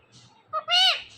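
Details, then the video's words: Pet ringneck parrot talking: a short clipped note followed by a longer, harsh, rich-toned squawk-like vocal lasting about a third of a second, amid sounds of a person repeating a short syllable. "This Ringneck Parrot Talking Is Epic.!."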